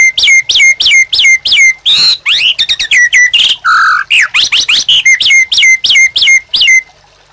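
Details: White-rumped shama, master song for captive birds: repeated sharp downslurred whistles, then a varied rush of rich warbled and buzzy phrases, returning to the repeated downslurred notes.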